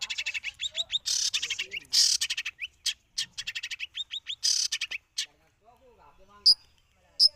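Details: Cendet singing a modern 'isian' repertoire: rapid chattering runs of high, sharp notes with harsh buzzy bursts, trailing off into a few isolated high chips after a pause.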